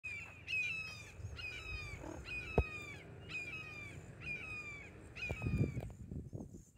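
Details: Two red-shouldered hawks dueling on Cool Trail, Little Big Econ State Forest, Geneva, Florida: loud, harsh descending kee-ah calls, about seven of them, repeated roughly every 0.8 seconds, with low rumbling background noise.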